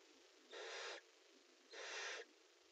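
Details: Barn owls inside a nest box, prey handover and mating: two rasping, drawn-out hisses about half a second each, separated by roughly a second of quiet hum.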